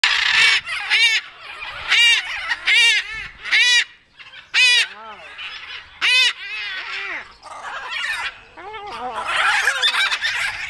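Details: Several macaws waking up at a bird park in Athens, Greece, give loud, harsh squawks about once a second, each nasal and arching, with raspy screeching between the calls.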